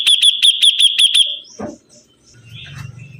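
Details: Sibuntung bird singing actively, delivering a rapid string of about seven bright, piercing identical notes, roughly three per second, followed by a brief low thud and faint soft twittering.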